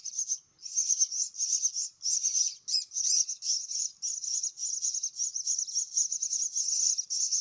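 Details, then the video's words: Myna chicks being fed, giving continuous high, thin squealing begging calls in rapid pulsing runs with brief pauses throughout. "kasih makan anak burung jalak"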